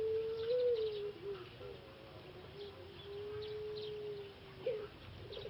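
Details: Male Pelung dove, a caged breeding bird from Solo, Indonesia, whose voice was lost after six months in a breeding pen and is now in rehabilitation; a low steady coo with a slight rise, then faint shorter notes amid background hiss.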